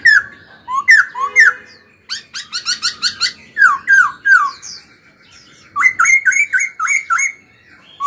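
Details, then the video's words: Caged young laughingthrush in training, singing and dancing: rich, loud whistled phrases of slurred notes in quick groups, a run of short sharp chips, then more looping whistles, with brief pauses between bursts. "Khướu hót cực hay, kích bổi hót ngay"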